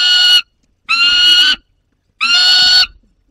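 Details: Young wild peregrine falcon holding prey in the Barycz Valley, 30 August 2022: three harsh, nasal wailing calls, each about half a second long, rich in buzzy overtones and separated by short silences.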